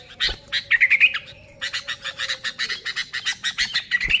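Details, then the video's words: Sooty-headed bulbul, recorded without added sounds to lure bulbuls, opening with a quick liquid whistled flourish, then a steady series of raspy chattering notes about four per second, ending in another brief whistle. "Suara Burung Kutilang Gacor ASLI Tanpa isian, Ampuh untuk Pikat Kutilang bikin kutilang Ribut gacor"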